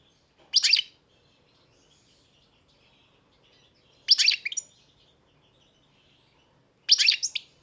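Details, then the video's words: European goldfinch: three short bright bursts of high twittering notes, each under half a second, spaced about three seconds apart, with near silence between them. "Pesma štiglića, češljugara"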